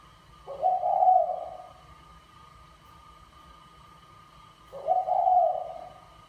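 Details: Courting male spotted dove of the Mã Phấn type calling to a Bài Lối female: two soft, hollow coos roughly four seconds apart, each swelling then fading, with a constant low hum behind.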